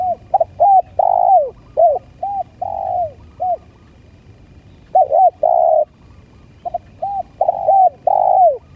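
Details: Spotted dove calls used to lure birds: mid-pitched hollow coos in quick pairs and longer drawn-out arched notes, given in irregular bursts with short pauses and a faint low background hum.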